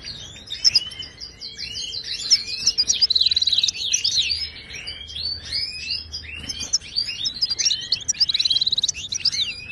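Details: Wild Moroccan goldfinch song, Ouidani style, played to tutor caged goldfinches: an unbroken fast twitter with two bursts of rapid high trilling notes, early and near the end.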